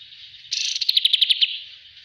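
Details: Bulbul on a training master recording bursts into a quick, buzzy flurry of high notes that settles into about six crisp, rapidly repeated chirps, then trails off.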